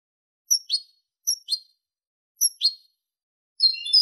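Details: European goldfinch, clean song style, 2023: three paired, sharp, high chip notes spaced about a second apart, then the start of a rapid twittering phrase. Otherwise silent.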